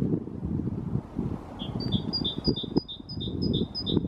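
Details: Great tit (Parus major) parent singing near its nest in a natural maple tree cavity after feeding young; a quick rhythmic series of clear two-note whistled phrases, about eight repeats within two and a half seconds, over steady low rumbling background noise.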